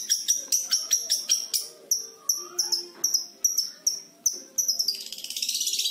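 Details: Young kept long-tailed shrike, five months old, practising lovebird and canary imitations: loud sharp piercing notes repeated about every third of a second, ending in a rapid continuous high trill.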